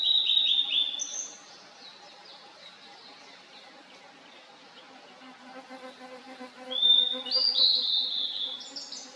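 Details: Blue-and-white flycatcher singing in a valley, 2023: a whistled phrase opens the recording, softer faint notes fill the middle, and a louder rising whistled phrase with a harsh end follows later.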